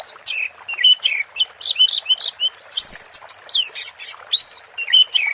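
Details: Orange-headed thrush in 'teler' song, pouring out quick whistled notes, upward and downward slurs and brief buzzy bursts in a nonstop, ever-changing sequence.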